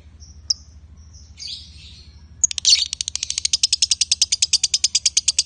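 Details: Male and female lovebirds: a few thin, scattered high notes, then a sudden switch into fast, rhythmic konslet chatter of sharp repeated chirps that keeps going to the end.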